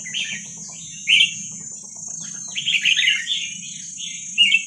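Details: Wild Vietnamese red-whiskered bulbul song for young-bird training: a few separate chirpy bursts, then a longer run of rich warbled notes and a final sharp phrase, over a steady high whine.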